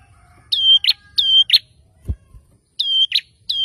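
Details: Persistent male bar-winged prinia song meant to make rivals answer fast: two-part notes of a flat thin whistle then a rough buzzy flick, given in pairs, with a soft knock midway through.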